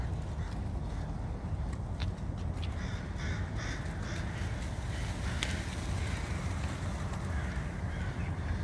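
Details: A large gathering of crows resting along a town walking route on a cold day. Short, harsh, harmonic caws break out in a cluster mid-clip over a constant deep rumble of wind.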